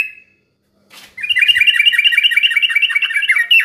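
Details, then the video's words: Yellow-vented bulbul singing to prompt other birds into song: after a short note and a click, a long unbroken stream of rapid, bright, bubbling chirps runs for over two seconds. "kicau suara trucuk bikin gak tenang ini juaranya terapi burung trucukan macet bunyi agar ikut ropel"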